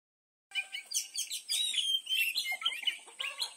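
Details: An Oriental magpie-robin, tail spread, sings a fast, unbroken run of bright whistles, trills and scratchy, varied notes, packed with shifting high phrases.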